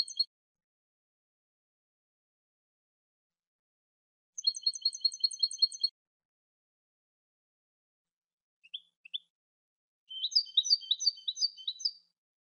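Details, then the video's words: European goldfinch singing its cante from a new song CD: a brief twitter, then a bright jingling phrase of rapid repeated notes, two thin rising chips, and a fast tumbling run of liquid twitters, with silence between. "Cd cante de jilguero"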